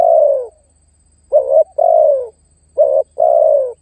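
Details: Spotted dove calling and pressing a rival, recorded as a lure: low mellow coos alternate between short pulsed notes and drawn-out downward-sliding ones, two pairs following an opening long coo, over a faint low hum.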